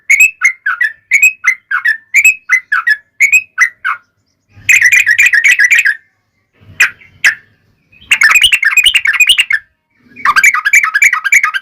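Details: Yellow-vented bulbul in long rolling fighting-style song to make other bulbuls sing back: runs of bubbly whistled phrases alternating with dense rapid trills, separated by short silences.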